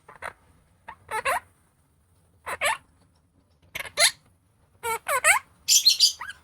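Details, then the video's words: Opaline monk parakeet (Quaker parrot) talking a new word: short bursts of clipped, speech-like syllables with harsh, raspy edges, ending in a scratchy squawk; the room is otherwise quiet. "Monk Parakeet speaking/Talking Parrot /New Word(speech bubbles)"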